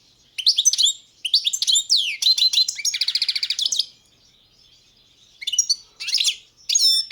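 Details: {'caption': 'Balkan goldfinch (balcanica) song: a run of sharp chirps and slurred notes leading into a fast buzzy rattle, then a pause before more bright twittering notes.'}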